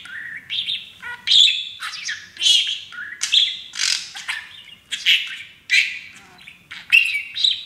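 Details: Pet parakeet, a young male, perched on a new playground and happily practicing taught phrases such as "baby bird"; rapid chattering, warbled syllables in quick bursts about every half second, high and scratchy, with no other sounds.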